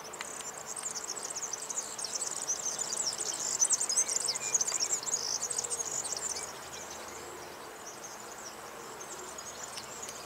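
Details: European serin (Serinus serinus), song.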